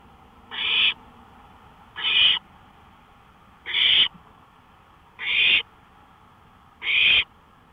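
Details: Owl at night on a porch, 1:53 AM, 5 May 2013, producing five regular rough hissing screeches, about one every one and a half seconds, against a soft background hum.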